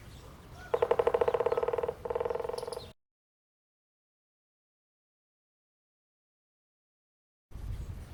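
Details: A lineated woodpecker drums its bill on a eucalyptus branch in rural Jaú, São Paulo, Brazil, in two rapid, even rolls, the first about a second long, the second shorter; then silence and faint outdoor rumble.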